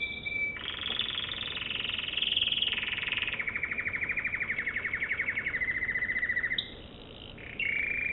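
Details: An American Singer canary sings a sustained, harsh buzzing roll that slowly lowers in pitch, breaks off briefly, then resumes with a short bright phrase.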